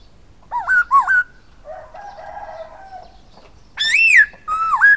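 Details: Song of a silver-eared laughingthrush: two wavy, upswinging whistles, then a softer buzzy humming stretch, then the arched falling whistle and the dipping note.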